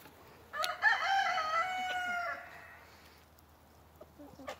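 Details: Crowing of an Indian Malay rooster, Goliath's son, heard in the background on a muddy farm: one raspy, harmonic crow of under two seconds, followed by quiet and a few faint clicks.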